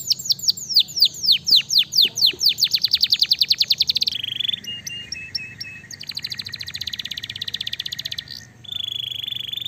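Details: Canary singing to challenge and draw answers from other canaries: a long series of rapid downslurred high notes speeding into a trill, followed by buzzy sustained rolls at changing pitches and a final steady high trill.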